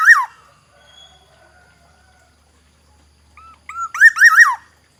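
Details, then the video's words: Fluty song of a Black-naped oriole from Aceh. The tail of one phrase is followed by quiet, then another phrase: two short whistles and a bright rolling series of looping slurred notes that drops at the end. "variasi kicau kepodang Aceh, Suara khas kepodang hutan, Black naped oriole"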